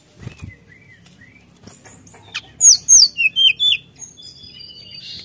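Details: Brown-chested jungle flycatcher singing vigorously to provoke rivals: soft low whistles, then six loud clear slurred notes in quick succession, followed by thin high sustained tones.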